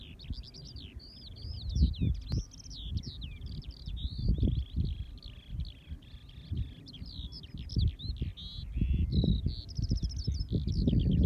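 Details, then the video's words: Eurasian skylark in full song, pouring out an unbroken, rapid run of high twittering, buzzy trills and rising-falling slurs, with intermittent low thumping noise, possibly wind on the microphone. "Singing Skylarks"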